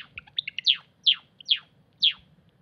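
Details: Cinnamon Java sparrow singing in a weedy field on 8 April 2021: a run of soft clicks and small chips, then four clear whistled notes that sweep steeply downward, spaced about half a second apart, with faint low rumble behind.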